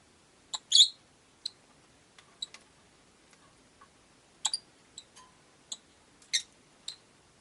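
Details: Rosy-faced lovebirds, five in a cage near a window, produce dry, clicking chirps at uneven intervals, with a louder double chirp early and another burst later.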